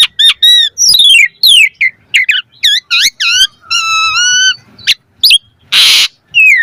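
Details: Asian pied starling song used as a master track, full 'mompa' variation: fast looping whistles, a long buzzy harmonic phrase, and a loud harsh hiss near the end before a final whistle.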